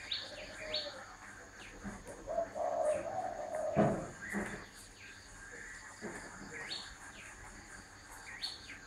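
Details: Spotted dove giving a mellow, drawn-out coo mid-recording, while other small birds add high, quick chirps throughout and a sharp knock sounds once.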